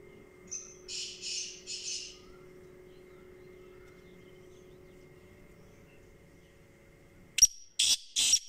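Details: Kala teetar, the black francolin: a soft three-note rasping phrase, then several seconds of near silence before a louder burst of three harsh, clipped notes at the end.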